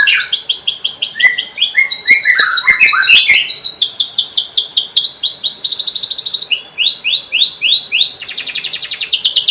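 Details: Vigorous canary song for coaxing silent young canaries: dense rolling trills, a brief series of lower descending notes with clicks, then fast repeated chirps and a buzzy high rattle.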